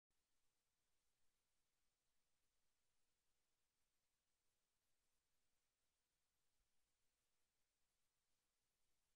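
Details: Near-silent recording with only a faint, steady hiss and a thin low hum throughout.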